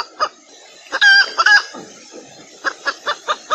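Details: Hen in valentine season during mating: soft clucks over a low background hum, a short strident squawk in the middle, then five evenly spaced clucks.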